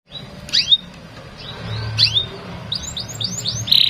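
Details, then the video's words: Canary lure song for young canaries to learn from: bright upward-sweeping chirps, a short series of quick rising notes and a closing buzzy trill, over a low background hum. "Kenari gacor pancingan bunyi"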